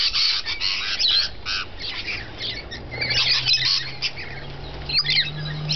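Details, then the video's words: Rainbow lorikeets feeding, dense harsh screeching and chatter from a flock, with a faint low steady hum rising in pitch in the background. "Rainbow Lorikeets feeding"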